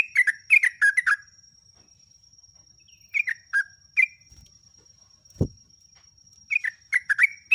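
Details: Sooty-headed bulbul singing, used to tutor captive bulbuls: a fast cluster of bubbly notes, then scattered single chirps, a brief low thump, and another quick burst at the end.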